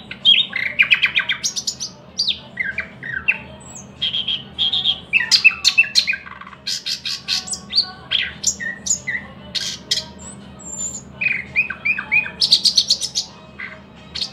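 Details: Thrush nightingale in sustained song, mixing loud clicks, rapid chattering runs, pure whistled notes and harsh rattling bursts in quick succession, phrases separated by brief pauses.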